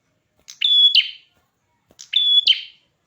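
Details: Lively song of a prinia with a red head: two separated phrases, each opening with a buzz, holding a bright even whistle, then breaking into a harsh chatter.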